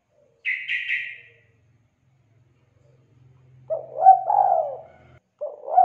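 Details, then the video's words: Spotted dove in a lure recording for prompting lazy doves to sing: a short higher chirping from another bird at the start, then after a pause a low hollow coo phrase with a drawn-out falling note. "MASTERAN PANCINGAN TEKUKUR MALAS ATAU MACET BUNYI"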